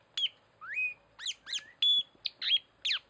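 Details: Loud, clear Tanau lure calls: an upslurred whistle, then fast sharp descending notes and a short steady high whistle, all crowded into about three seconds.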